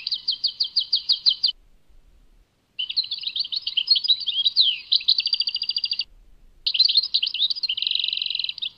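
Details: Goldfinch song from Tadmait, Algeria, in three bursts split by short pauses: a rapid even trill, a long tumbling mix of twitters and trills, then liquid notes ending in a dense buzzy rattle.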